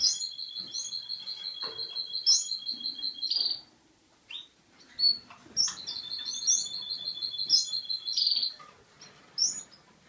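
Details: Yellow male Russian canary from Boston, ready for breeding, delivers a rapid rattling trill, pauses with a few soft chirps, then repeats a similar fast trill followed by scattered bright notes.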